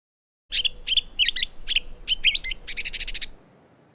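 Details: Gray Catbird, uncommon in California, in a restored Northern California meadow with willows and alders, sings a jumble of varied squeaky, mewing phrases ending in a rapid chattering run; it mimics sora, western wood pewee, Wilson's snipe and Pacific tree frog.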